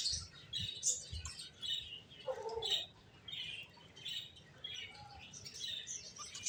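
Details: Several finches twitter in short, high chirps roughly once a second, with a brief lower nasal note near the middle and faint low rumble beneath.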